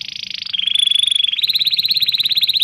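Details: Canary singing, a training song meant to teach young birds and restart silent ones: a buzzy trill, then a steady whistled tone, then a fast rolling trill.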